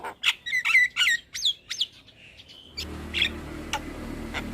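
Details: Javan myna (jalak kebo) singing to encourage a silent bird; several squawky notes and a couple of rising whistles, then a steady background hiss with a few sparse clicks.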